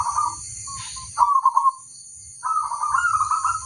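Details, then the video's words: Zebra dove song from a local bird: brief burbling coo notes, a louder pulsed phrase, then a longer rippling coo after a short pause, with a constant high tone in the background. "suara sang masteran burung perkutut crosing"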